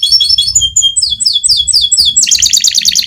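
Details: Fighter canary singing a rolling song meant as a master for tutoring young canaries: rapid varied chirped phrases sliding downward, then a dense fast buzzy trill in the final second, over a faint low hum.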